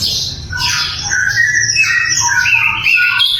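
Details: Sikatan londo flycatcher in full song for training other songbirds: busy, scratchy warbling of short rising and falling whistles, tumbling between high and middle pitch.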